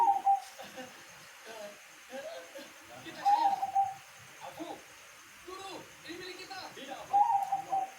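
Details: Perkutut (zebra dove), katuranggan type, delivering three bursts of bubbly, stuttered cooing spaced roughly three to four seconds apart, with murmuring human voices and soft clatter underneath.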